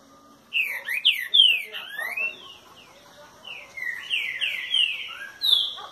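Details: Morning song of a green-winged saltator, curricutil boi style, recorded at 6:30 on a Thursday. Loud bursts of sweeping whistled notes, a brief pause, then a second phrase of descending slurred whistles ending in a high note.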